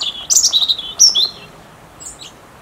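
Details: A European robin gives its autumn song: a thin, high, wavering phrase of quick slurred notes that rise and fall, followed by a pause and a faint sliding note.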